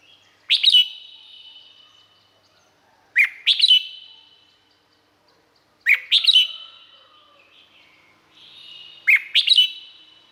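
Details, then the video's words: A Red-whiskered bulbul in Thailand repeats a lively chirruping phrase four times, roughly every two and a half seconds. Each burst is a sharp upslurred note followed by quick tumbling whistles that ring on briefly afterward, with silence between. "เสียงนกกรงหัวจุก สำหรับต่อ หรือ เปิดให้นกคึก เสียงเพราะๆ"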